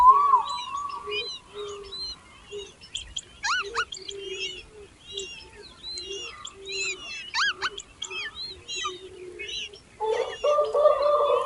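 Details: Baby birds hungry for food as their mother feeds them: quick, high chirps and sharp, steeply rising squeaks in clustered bursts. A soft low note repeats beneath, and a brief buzzy burst comes near the end.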